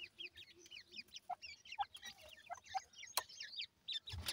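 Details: Grey francolin (teetar) chicks after feeding, squabbling with their mother. Clear high piping peeps, each rising sharply, follow one another in quick succession, with a few sharp clicks and a soft low murmur beneath.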